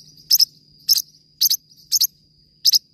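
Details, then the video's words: Forpus parrotlet giving five quick doubled high chirps in three seconds, with a steady thin whine in the background. "forpus bird singing"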